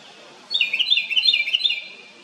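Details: House wren on a farm gives a loud, bubbling burst of rapid high notes, tumbling and jumbled for about a second and a half, over faint background hiss.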